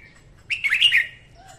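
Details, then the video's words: Female red-whiskered bulbul singing in the morning, kept as a lure to train birds and draw others to traps; one short warbled phrase of bright whistled notes, rising then falling, lasting about half a second. "Tiếng Chào Mào hót sáng kích chào mào hót, chào mào gọi bổi"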